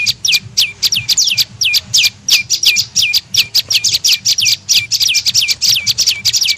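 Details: Prenjak lumut tailorbird lure call for attracting birds: quick high chirps, each ending in a short downward-sweeping tail, repeated about three times a second in an uneven, energetic run.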